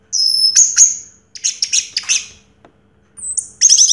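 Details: High, thin whistles open this song of a first-place 2022 orange-headed thrush, followed by clusters of rapid buzzy notes, a short pause and a renewed high whistled phrase.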